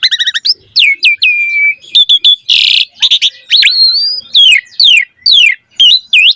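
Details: Asian pied starling singing richly as a lure for training other starlings: quick stuttered notes, falling whistles, one harsh screech, then a series of sharp descending whistled slurs about every half second.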